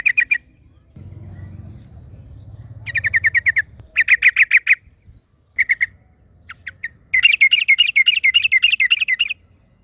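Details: ['Wild Yellow-vented Bulbul answered by a second bulbul: short chattering bursts of rapid repeated notes, separated by silences and a brief low rumble, ending in a longer bubbling run of quick chirps.']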